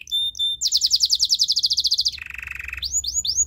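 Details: Canary song for training: a brief high whistle, then a fast buzzy trill of rapid repeated notes near 5-6k, a lower rattling roll, and finally several rising whistled slurs.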